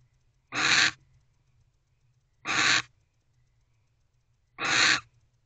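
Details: Barn owl waiting inside its owl box for its mate, night of 25 December 2023. Three harsh, hissing screeches are spaced about two seconds apart against a quiet background.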